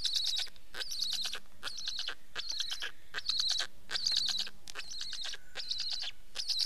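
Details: Black stork calling in rhythmic bursts of harsh, squealing pulses, each lasting about half a second and repeated with short gaps, faint low hum beneath.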